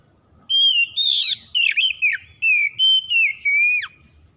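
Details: Oriental magpie-robin, a raw 'bahan' bird, responding with 'gacor' song: an unbroken run of loud, pure whistles and scratchy warbled flourishes, slurring up and down, ending on a sharp downward whip. Faint high steady tone behind it.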